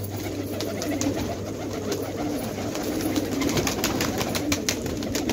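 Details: Fighter pigeons in a village at Khanabad, Afghanistan, cooing together in a steady low, murmuring chorus, overlaid by frequent sharp clicks and taps.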